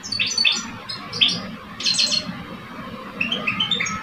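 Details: Caged male European goldfinches in an Algerian song contest, an older male and a two-year-old. Short twittering phrases and a buzzy burst, then a quiet stretch of thin, rising chirps, over a low hum.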